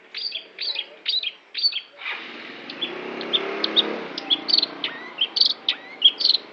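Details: Long-tailed shrike giving a few loud downslurred chirps, then a string of short, thin, high notes and squeaks over a steady background hiss.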